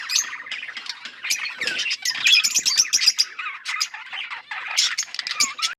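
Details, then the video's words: Australian parrots chirping together, a dense overlapping chorus of chattering chirps, squeaks and harsher squawks from many birds, continuous throughout with no pauses. "Australian parrots chirping sound"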